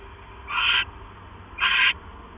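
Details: Night recording of an owl, 6 September 2015 near 10:52 PM, male bringing the female a mouse; two short, noisy hissing screeches about one second apart, with quiet hum between.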